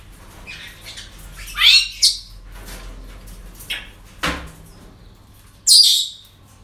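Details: Parrots at a breeding centre on an ordinary day: several short harsh screeches in a loose sequence, one burst near the end, with soft rustles and clicks between them.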